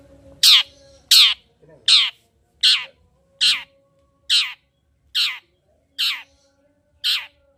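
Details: Long-tailed shrike calling to stimulate another bird to sing: a series of harsh, broadband rasping notes, each about a quarter second long, repeated roughly every 0.7 seconds, nine in all, with a faint steady hum beneath.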